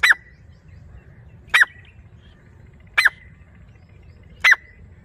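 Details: A pair of grey francolins calling: loud sharp notes repeated roughly every one and a half seconds, each a quick emphatic burst with a slight trailing tail, over quiet low background noise.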